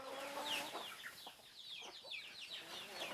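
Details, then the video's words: Brazilian free-range domestic chickens (Gallus gallus domesticus) give a quick run of short, high clucks and chirps, several birds calling over one another, with a brief low tone near the start. "CHICKEN (GALLUS GALLUS DOMESTICUS), GALINHA CAIPIRA"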